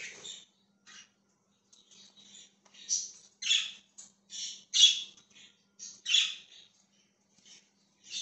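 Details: Chirping budgerigar giving a string of grating, warbled high notes in short bursts roughly every half second to second, some louder and harsher, over a faint low hum.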